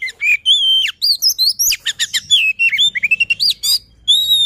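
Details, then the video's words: White-rumped shama luring song: loud, varied run of clear whistles, sliding and rising notes mixed with rapid sharp chirps and trills, phrases broken by short pauses, no other sounds. "Suara Pancingan Poci | Kicau Kacer Gacor"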